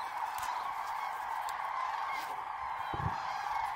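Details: Massed common cranes at their roost in Hungary, a continuous wall of overlapping trumpeting calls from many birds with no single caller dominating, plus faint low thuds.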